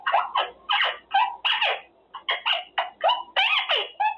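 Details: Caged male Quaker parrot practicing words such as good boy and pretty boy, a lively sequence of scratchy, speech-like phrases with varied rising and falling tones.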